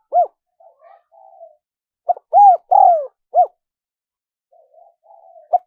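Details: Spotted dove coo, used as a lure for wild doves. A low mellow phrase of a clipped note, an arched coo, a long sliding coo and a closing arched coo, with soft faint murmured notes before and after. Quiet background.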